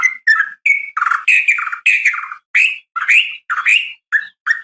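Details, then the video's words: Female sooty-headed bulbul calling males in the morning: a chain of bubbly, warbled notes around the middle register, some slurred downward, given in quick uneven bursts with short gaps and no other sounds. "suara panggilan pagi bikin emosi , semua burung trucuk terpancing ikut bunyi gacor dan ropel panjang"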